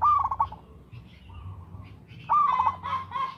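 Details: Local zebra dove singing in a steady rhythm for use as a lure: two rising notes that each break into a rapid bubbling trill, with a softer drawn-out coo between them and a low hum beneath.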